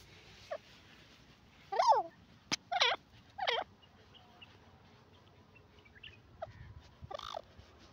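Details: Grey francolin (teetar) calling: three loud, harsh, rapidly wavering notes about a second apart, followed by fainter scattered notes, over a steady hissing background with one sharp click.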